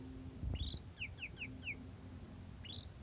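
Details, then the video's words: Asian pied starling singing in morning or evening, kept as a song tutor for other birds: a sharp rising whistle, four quick downslurred chirps, then another rising whistle, over a low rumble and steady hum. "Suara Jalak Suren Bikin Emosi Burung Lain"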